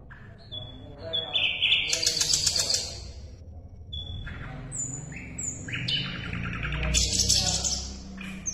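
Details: Asian brown flycatcher (sikatan londo), recorded as a tutor song for songbirds: a rapid, varied song of high thin whistles and twittering chatter in bursts, over a low steady hum.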